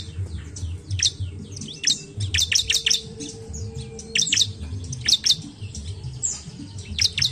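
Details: Bar-winged prinia song played as a lure to prompt other birds to sing: rapid high chirps and sharp repeated notes in quick bursts, with a low background hum and a steady faint tone.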